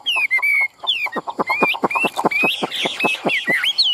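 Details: Caged Chinese hwamei in Vietnam, excited with fanned tail and high wings, mixes clipped harsh notes repeated about four per second with bright slurred whistles rising and falling.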